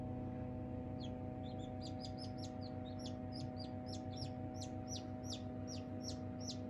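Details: Newborn Silkie chicks outside for the first time, part of a group of 24 chicks with 4 hens: many high, sharply falling peeps overlapping in a rapid, uneven stream over a steady low mechanical hum.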